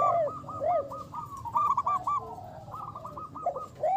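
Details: Local zebra dove, a frequent singer used as a champion lure bird: rapid rolling series of short coos interwoven with rising-falling arched notes, the pattern repeating with brief quieter gaps.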